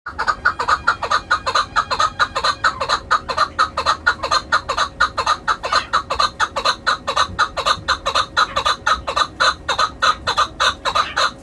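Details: Hunting (shikari) chukar calling in a long, unbroken run of loud, harsh clucking notes, about two per second, each with a buzzy, ringing edge, steady and insistent for the whole stretch with no other sounds.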